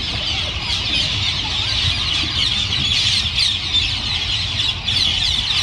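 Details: Large urban flock of rose-ringed parakeets, about 1000 birds descended from escaped pets, settling into a winter roost in Japan; constant overlapping shrill squawks and chattering from many birds, with faint low rumble.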